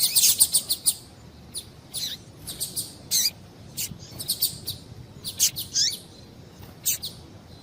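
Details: Female double-collared seedeater calls used to get males singing: a rapid opening run of sharp high tweets, then irregular single and clustered chirps, a few with falling tails, over light background hiss.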